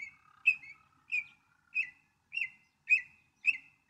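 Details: Northern mockingbird repeating one sharp, chirpy phrase about every 0.6 seconds, seven times in a row, over a quiet background.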